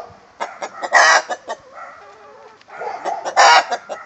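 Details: Egg song from a rooster with his hen, loud rhythmic cackling: quick clucks rising to a harsh squawk, a softer wavering murmur, then another burst of clucks and a loud cackle.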